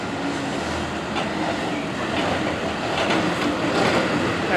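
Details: A passing train fills the scene with a continuous rumble and rattling wheels, rising slightly toward the end, and no animal voice is heard.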